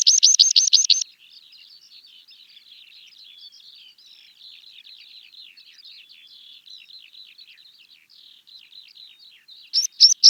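A Meadow Pipit opens with a burst of thin, high repeated notes, fades into a long, soft twittering run, and ends with another loud rapid burst.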